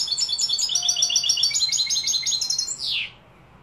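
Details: European goldfinch, named by its Spanish name jilguero, linked to Malaga and Morocco, singing a rapid, continuous stream of twittering, tinkling high notes and buzzy trills, ending in a downward-sweeping slur; faint low background hum.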